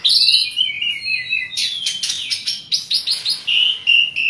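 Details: An Asian pied starling in full song sings a lively, varied medley of high whistles, chattering bursts and scratchy notes in quick succession, used to prompt reluctant starlings to sing.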